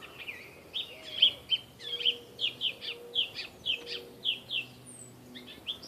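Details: Steel-coloured catbird hidden in backyard trees in Saskatoon, unusually far north, producing a quick, jumbled string of short squeaky and chirpy notes, each slightly different, roughly two per second, with faint low background hum.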